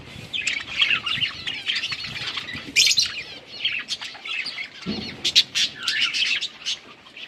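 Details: Winter rain with budgies chirping: continuous warbling chatter and quick clicks, a brief flutter of wings midway.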